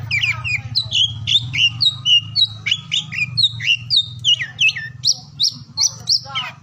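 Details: Oriental magpie-robin singing, used to rouse quiet or lazy birds into song: a fast continuous series of whistled notes, about three per second, ending in higher repeated tones, over a low background hum.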